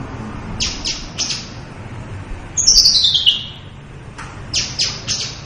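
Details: Caged local branjangan, the Javan bush lark, in full-repertoire song: a few quick high chirps, then a loud, long downward-sliding whistle, followed by another short burst of sharp chirps.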